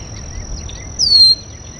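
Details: Red-winged blackbird (Agelaius phoeniceus) calling at a local water basin: one high, clear whistle sliding downward over about a third of a second, above a steady insect-like hiss.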